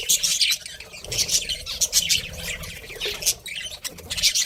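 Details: Pet breeding pair of budgies giving scratchy chatter with thin high squeaky notes, over a busy low rumbling background.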